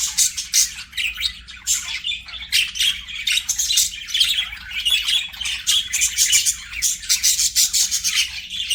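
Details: Budgerigars sing and play with constant high-pitched twittering, mixing scratchy chirps, squeaky whistles and short squawks in a dense, restless chatter.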